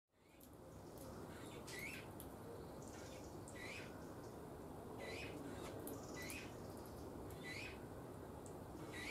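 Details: Eurasian bullfinch at a feeding on 7 June 2020: soft, short piping notes, each briefly rising or slurred, repeated irregularly several times a second, mixed with light clicking and scratching over a steady low background rumble.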